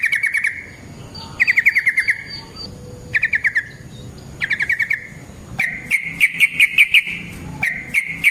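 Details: Yellow-vented bulbul song used as a trapping lure: short rattling phrases with pauses, then a faster run of rolling chirps toward the end.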